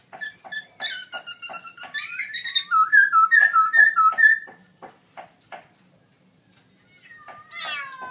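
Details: Caged black-throated laughingthrush in a gold award birdsong contest, October 2016; a loud run of whistled, warbled phrases over regular clicks, a pause, then a final rising harmonic whistle.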